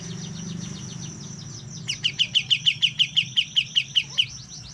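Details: A young white-eye starting to learn to sing gives a steady series of about thirteen bright, high, clipped notes, each evenly spaced, after a quiet stretch with a faint low hum.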